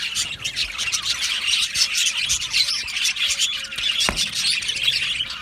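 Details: Australian budgie colony singing and chirping in an aviary, pulsing bursts of high squeaky chatter from many birds, with a single sharp click near the end.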